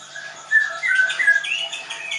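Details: Short burst from a captive Leuser White-rumped shama at a Tangerang bird school, Indonesia: a few sweet sliding whistles followed by higher scratchy notes.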